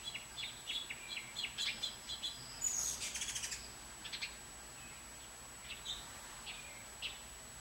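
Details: Young bluebirds from a brood of five, June–July 2019, hatchlings through nestlings to fledglings, give thin, high chirps in quick runs that crowd into a dense burst mid-way, then thin to scattered single notes over a faint hiss.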